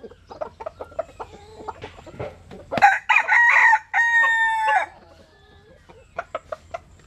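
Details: Bantam chicken of Japanese-Cuban type sunbathing in rural southern Vietnam, crowing once; scattered clucking before and after a raspy crow whose last drawn-out note rises in strength, lasting about two seconds.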